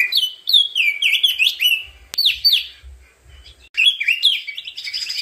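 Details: Crested white-eye singing a fast, tumbling run of high, sweet chirps and downslurred twitters, loud and close, with brief pauses between bursts.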